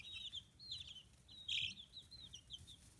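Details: Fifteen-day-old chickens with new feathers, kept free-range in Kitahiroshima, Hiroshima, Japan. A few drawn-out high peeps slide downward, then one louder, sharper chirp sounds midway, followed by quieter scattered peeps.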